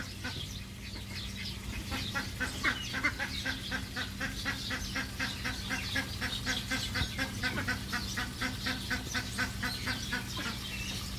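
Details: Egyptian geese calling in a fast, dense series of harsh notes, about four each second, without pause, against a steady low hum.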